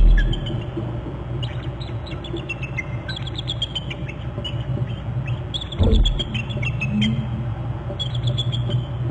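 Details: A pair of eagles at their Hornby Island nest territory on January 22, at 12:46, leaving a perch tree, give high, thin chittering trills in descending runs of quick notes over steady low wind rumble.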